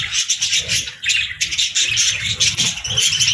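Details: Budgies chattering together, meant as relaxing, happy company for lonely pet birds: a dense, continuous wash of high scratchy chirps and warbles that dips briefly near one second, with faint low rumbling underneath.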